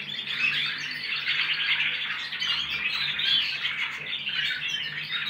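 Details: Young goldfinch x canary hybrids practising song indoors, several birds at once: a dense, continuous tangle of bright twittering warbles, trills and chirps that overlap with no pauses, held at steady loudness throughout.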